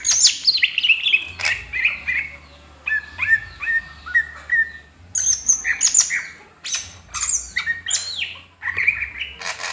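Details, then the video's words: Greater green leafbird fanning its tail, singing a training song of chattering harsh notes, a string of repeated clear chirps, and then more high, sharp whistles and squawks. "CUCAK HIJAU NGIPAS EKOR"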